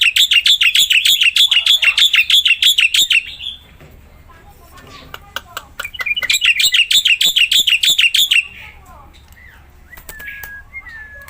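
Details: Two loud bursts of black-winged myna song, each about three seconds of rapid buzzy, rasping notes repeated several times a second, separated by clicks; a drawn whistle follows. Played to prompt a silent myna to sing.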